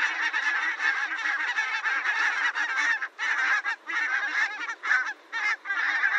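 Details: Barnacle geese, a very occasional winter visitor to Spain, often found among flocks of greylag geese: many overlapping yapping, barking honks in dense bursts with short pauses.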